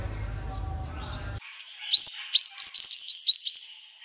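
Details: Sunbird song played to lure young wild birds and stir caged birds into singing: a quick series of high, sharply rising chirps, roughly eight in under two seconds, after a stretch of low background hum.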